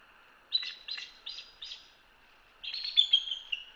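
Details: Bald eagle chatter from a live nest cam in Hanover, Pennsylvania: four thin, high piping notes in quick succession, a brief pause, then a longer run of squeaky, twittering notes. Finding: Bald Eagle.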